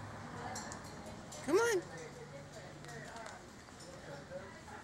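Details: A female cockatoo, in heat in mating season and excited by shoes she seems to take for another bird, gives a single brief, harsh squawk that arches up and falls away, over quiet room noise and a man talking.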